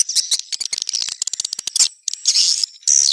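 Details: Swiftlets giving rapid high chirps and clicks in irregular bursts, then longer buzzy twittering notes near the end.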